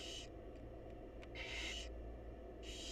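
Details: A wild barn owl mother feeds chicks in a nest box; rough hissing screeches come in bursts, one longer hiss in the middle, with faint clicks and a low hum behind.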